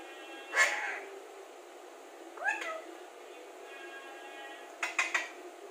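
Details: Talking Alexandrine parakeet, described as speaking very clearly, gives three separate bursts: a strong harmonic syllable first, a shorter bending note midway, then a quick double syllable near the end, with steady room hum between.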